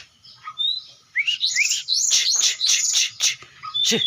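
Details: Oriental magpie-robin song of quick, varied whistles and chirps. Rising slurred notes lead into dense, scratchy bursts, with sharp clicks scattered through.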